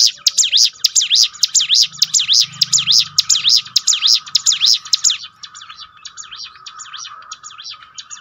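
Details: Bar-winged prinia song used to build fighting spirit: rapid regular series of high looping notes for five seconds, fading into softer, echo-like repetitions.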